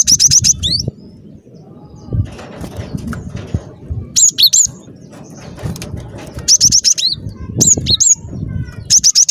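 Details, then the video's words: Cinereous tit in full gacor song, intended as a trapping lure: dense trills of very high, fast notes and swooping double calls in separate bursts, with rustling and low background noise between phrases. "Suara Burung Glatik Batu Gacor"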